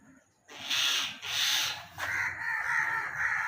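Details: Fallen baby common myna begging: a run of broad, scratchy hissed rasps, then steadier, more tonal harsh calls continuing without pause.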